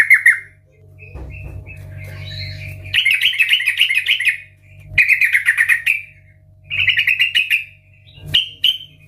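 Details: Sooty-headed bulbul in full, loud ngeplong garuda song, meant to stimulate other bulbuls: a sharp whistled opening, then four bursts of rapid, trilling chatter separated by short pauses, with a steady low hum underneath.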